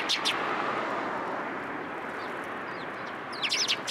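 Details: Sparrows gathering for food at a post at a Tenmangu shrine, 1 February 2023: brief bursts of high twittering chirps at the start and end, with a quiet hissing gap between.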